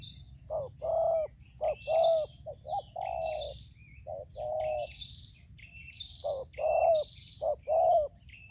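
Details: Decoy spotted dove answering a wild one during bird trapping in Lampung, Indonesia, singing 'tarik akar selang nguku': a rapid run of husky, rounded coos, some drawn out, others clipped short, while small birds chirp and whistle higher up.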